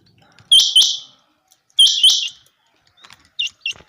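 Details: Common quail in a summer meadow giving sharp, liquid paired notes, repeated about a second apart, with softer, fainter notes trailing after in an otherwise quiet meadow.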